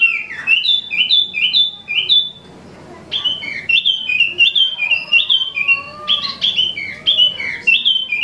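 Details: Original imported Wambi mini (Tieu Mi), a caged songbird in healthy condition, in South Jakarta, sings a lively, rapid song of high, sliding whistled notes about three a second, with a brief pause and a few lower whistles.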